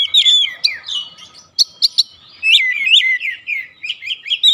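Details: Oriental magpie-robin singing to draw responses from other birds at home; continuous tumbling warble of whistled slurs and sharp ticks, quieter in the middle with a few isolated chips.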